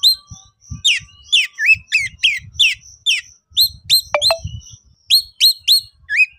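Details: Kacer, the Oriental magpie-robin, in emotional konslet song calling a rival: repeated falling and hooked whistles with scratchy accents, about two per second, over soft low thumping noise.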